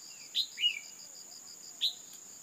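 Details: Female red-whiskered bulbul calling to excite males: three sharp notes, a high downslurred chip with a lower slurred note after the first, all over a steady, high, pulsing insect-like trill.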